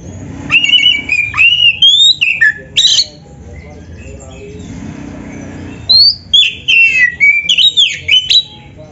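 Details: Gacor kacer (Oriental magpie-robin) master song: clear whistled notes rising and falling in separate bursts, with a quiet gap in the middle before a new series of varied whistles.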